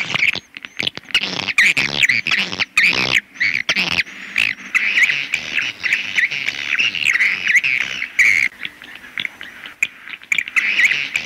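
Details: Swiftlets calling: dense, continuous high twittering chirps and clicks, overlapping rapidly with brief pauses, steady throughout with no other sounds.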